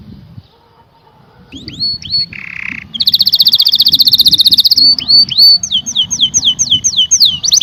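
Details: Canary singing after a brief quiet start: rising chips, a buzzy note, a long fast trill, then a run of sweeping downslurred whistles.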